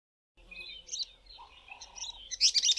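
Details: African paradise flycatchers in South Africa, some singing and one female scolding a spotted eagle-owl one evening: high, quick chirping notes rising to sharper bursts near the end, with a steady lower humming tone partway through.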